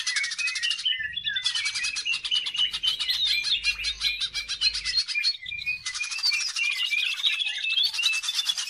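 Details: Greater green leafbird in full song, used as a lure to set other birds singing: dense, fast, high chattering phrases with sharp whistled sweeps, broken by a brief pause near one second and another near five seconds.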